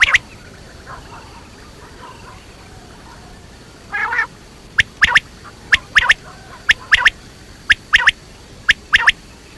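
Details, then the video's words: Quail, known locally as batair: after faint quiet sounds and a brief raspy burst, crisp paired clicking notes start and repeat steadily about twice a second, sharp and high. "Quail sounds batair ki awaz quail sounds"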